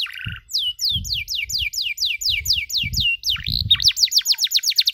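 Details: Canary training recording for young birds learning chirps: a short buzzy note, then a fast series of down-slurred whistled notes repeating several times a second, ending in rising, sweeping trills, with faint low thumps beneath.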